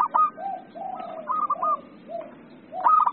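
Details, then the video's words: Local zebra dove in full song with other zebra doves responding: overlapping low, drawn-out coos and quick rolling higher coo bursts, several birds calling against constant low background noise. "PERKUTUT LOKAL GACOR,PERKUTUT LAIN AUTO NYAUT"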